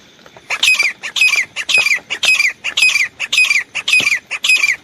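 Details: Grey francolin, a desi teetar kept as a hunter's decoy bird, calling in loud, harsh screeching bursts, each with a falling tail. About eight bursts come in steady succession over nearly five seconds. No other clear sounds.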